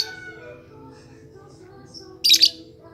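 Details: Lure call of a lovebird meant to set other lovebirds singing: a quiet stretch with faint hum, then a short, bright double chirp near the end.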